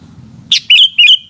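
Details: Close sooty-headed bulbul song in the afternoon: a short squeak, then two loud, rolling, liquid whistles in quick succession.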